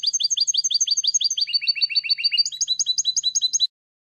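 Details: European goldfinch song from a tutor recording for teaching young goldfinches, in the 'eco' style without endings or finishing flourishes. High, rapid notes repeat in fast series, and the pitch drops then rises between phrases. The background is silent.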